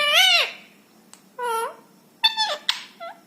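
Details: Rescued ringneck parrot speaking indoors: a short arched, harmonic word, a pause, a flat mid-pitched syllable, then a few quick clipped sounds and a soft final note.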